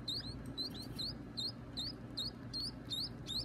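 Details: Fairly faint, high rising chirps from baby birds at feeding time, given singly at a steady rate of two to three per second, with a soft hum behind.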